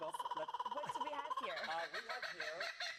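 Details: A Laughing Kookaburra gives a territorial call of rapid chuckling notes that rise into a loud, cackling laugh, with people talking over it.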